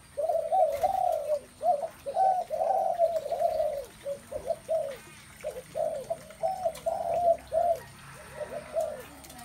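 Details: Several spotted doves coo at once, a dense run of soft, mellow, low notes in rounded, overlapping phrases with brief pauses between them.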